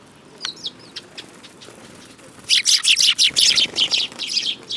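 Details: Sparrows, recorded 10 June 2018: a few soft chirps, then a loud rapid run of about ten bright, harsh chirps in quick succession lasting over two seconds.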